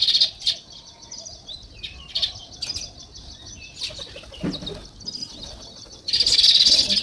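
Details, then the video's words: Sparrows heard in nature give scattered sharp, high chirps spaced irregularly over several seconds, ending in a sudden loud burst of massed twittering. "Natural Sparrow Chirping Sounds"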